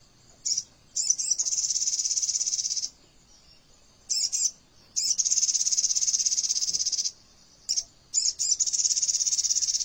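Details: Sogon (crimson sunbird) tutor song in the "AK47" fill style, tightly packed and fast: piercing high trills, each a rapid even rattle of one to three seconds, preceded by clipped introductory notes and separated by short silences.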